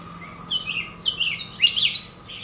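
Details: Red-whiskered bulbul, a wild bird from mountain forest caught one day ago, delivering three loud, rich warbled phrases that sweep up and down, against a steady faint tone.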